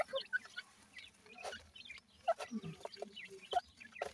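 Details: Grey francolin chicks calling beside an adult; scattered short, high chirps and peeps come in quick irregular bursts, with a few lower clucking notes and soft background rustle.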